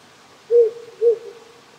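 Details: At night in the Japanese countryside, a wild, very wary owl living on a hill near a house gives two soft, low hoots about half a second apart, with a stream hissing in the background.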